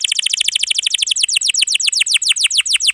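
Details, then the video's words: One long canary roll: about eight descending syllables per second, evenly repeated, bright and high, from a dense, full-voiced song meant for tutoring young canaries and birds that have gone quiet. "KENARI GACOR ROLL PANJANG"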